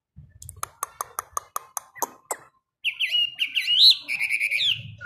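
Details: Chinese hwamei kept in a cage, trained to sing each morning. A series of dry taps and clicks comes first, then after a short pause a burst of bright, rising and falling whistled song phrases.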